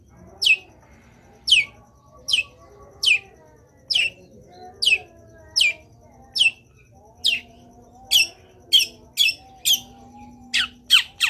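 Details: Long-tailed shrike singing in a lively training-style full-fill song: sharp, high, downward-slurred notes repeated roughly every second, speeding into quicker pairs near the end, over a faint steady low hum.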